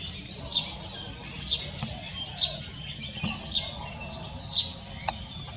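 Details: An olive-backed sunbird, recorded 31 March 2024, gives five sharp, high, thin notes, about one a second, over a faint low rumble of background noise.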